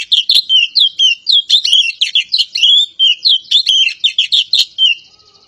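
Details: Oriental magpie-robin from Java singing energetically: a rich, unbroken run of high chirped and twisting whistled notes, several per second, varied in shape and loud throughout.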